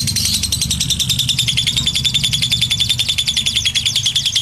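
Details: Lovebird ngekek, a long chatter meant as tutoring for other lovebirds: rapid, steady, buzzy high notes in an unbroken run over a low background hum.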